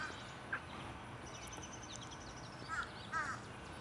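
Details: A talkative fish crow, over the shoulder of someone grilling outdoors, gives three short, nasal, hoarse caws over steady background hiss, the last two close together near the end.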